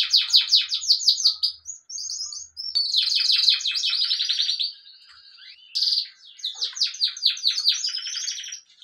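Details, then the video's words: Bird calls: rapid bursts of high, bright, buzzy chirps run together in quick series, with a short gap near two seconds and a quieter stretch around five seconds before the chirping resumes; no other sounds stand out. "Amazing Birds sounds"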